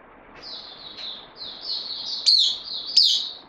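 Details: Caged white-eye, a newcomer on loan, recorded 12 September 2020, giving soft, high, thin twittering phrases with two brighter sharp notes near the end, against a quiet background.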